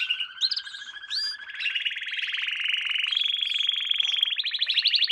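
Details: Canary in a lesson for young canaries, singing a long unbroken buzzy trill with brief whistled notes, stepping upward in pitch toward the end.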